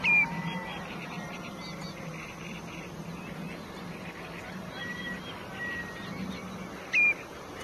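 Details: Black-headed gull at the nest: harsh, layered calls repeat faintly through the recording, with two louder, sharp cries at the very start and near the end, all over a low, steady background hum.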